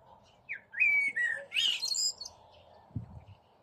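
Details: Singing blackbird in spring, perched among tree branches, seeking a mate; a brief fluting whistle then a squeaky, twittering high flourish, followed by a faint low thump near the end.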